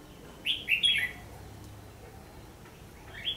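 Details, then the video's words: Red-whiskered bulbul fighting song, used to lure birds in a trap session in December 2015; a quick three-note warbled phrase, then a faint answering note after a pause. "Bẫy đấu chim chào mào"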